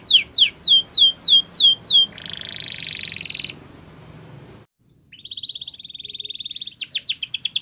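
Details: Gloster canary training song: a string of descending whistled notes, then a flat buzzy trill, a brief silence, and a steady high rolling trill ending in quick repeated notes.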